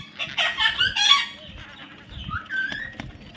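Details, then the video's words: Young parrot calling with a few loud, raspy squawks, followed by a short rising whistled note and a brief upward chirp against steady low background noise. "natural funny parrot sounds"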